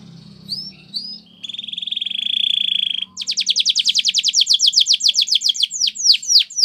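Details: Training song of a Belgian canary: two short rising whistles, then a steady rolling buzzy trill held for about two seconds, breaking into a fast rattling run of sharp notes and ending with slower, swooping downslurred whistles.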